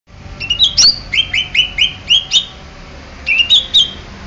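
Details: Greater green leafbird of the Banyuwangi type, Indonesia, singing bright, high whistled notes in quick bouncing phrases: a burst of about ten notes, a pause, then three more, over a faint low hum.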